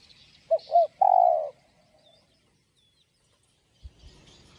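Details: Spotted dove singing in the 'giọng đồng' style, meant to stimulate caged doves: two short clipped coos, then one long, slightly falling croo, given once. Faint chirps from other birds sound in the background.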